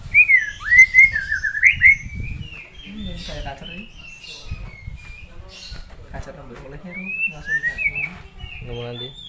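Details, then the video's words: Singing white-rumped shama used as a master tutor for other birds: loud looping whistles and slurred descending notes open the passage, then softer whistled phrases, while human speech runs alongside. "Murai batu gacor,isian melimpah,cocok untuk masteran"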